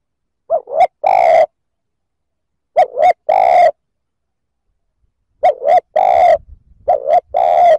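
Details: Spotted dove cooing to provoke other males in short repeated phrases, each a quick double coo followed by a long level hollow coo, with phrases coming in irregular bursts and a gap of over a second between groups.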